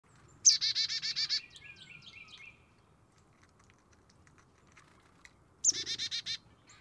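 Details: Black-capped chickadee at a backyard feeder giving two chick-a-dee calls: a sharp high note, then about seven quick buzzy dee notes, with thin chips between the calls.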